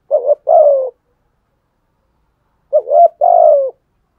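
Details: A spotted dove decoy, used to incite other doves, utters two low coo phrases about two and a half seconds apart, each a short wobbling note followed by a longer falling one.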